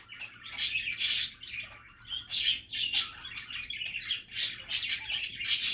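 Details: Relaxed budgie chatter made of scratchy squawks and quick chirps, grouped in short bursts with small pauses, faint electrical hum underneath.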